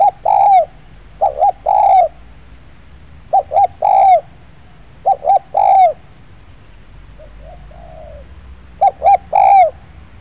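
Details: Spotted doves calling in an oil palm plantation as a wild bird answers a lure: loud phrases of two or three quick coos ending in a longer, falling coo, repeated about every three seconds, with one fainter distant reply between.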